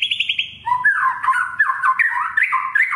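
A white-rumped shama opens with a quick run of four or five bright repeated notes, then pours out rich, varied whistled phrases that swoop up and down.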